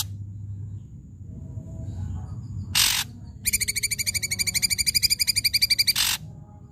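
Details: Lure song of an ashy drongo, loud and aimed at silent birds: a harsh rasp, then a rapid, even trill of sharp chips, roughly four per second, for nearly three seconds, closed by another rasp.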